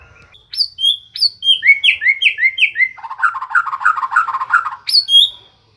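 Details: White-rumped shama in continuous song, clear downslurred whistles repeated in a series, then a fast run of lower rattling notes, ending with a bright high whistle that slides down.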